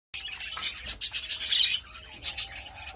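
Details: Pet budgerigars while mating: high, scratchy squawks and chirps in irregular bursts over rustling, with a faint steady tone in the background.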